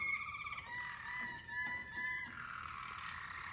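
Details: Caged Waterslager canaries of Mateos bloodline, four birds listened to together during song training: steady low whistled tones with harmonics, slowly falling, broken by soft bubbling pulses.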